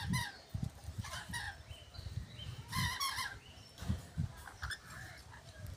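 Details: Lorikeets at Tamworth, NSW, Australia give harsh, shrill squawks in short irregular bursts, some stacked and screechy, over low rumbling bumps of wind or handling noise.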